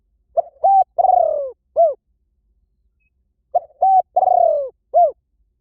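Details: Spotted dove delivering two identical low phrases: a pair of short coos, a long rough coo gliding down, then a crisp final coo, with a brief pause between. Offered as a quick-acting lure for any forest.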